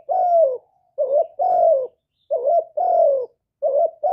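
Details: Captive spotted dove recorded directly in quiet surroundings, giving the 'thổ thúc' calling coo: low, hoarse, slightly falling notes paired short-long, repeating about every one and a half seconds.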